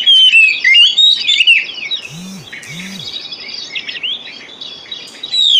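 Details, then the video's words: Oriental magpie-robin lure song to get non-singing birds going: loud, fast whistles and chirps at the start and end, a softer chattering middle, and two low, brief hooting notes in the background. "Pancingan Kacer Full 1 Jam Untuk Terapi Kacer Macet Bunyi,Kacer Lemot,Kacer Bahan"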